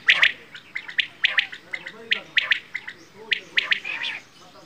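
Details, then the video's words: Bedana, or quail, producing a steady series of crisp, high chirps, single and paired, spaced unevenly at close intervals. "Quail | Bedana | batair ki awaaz"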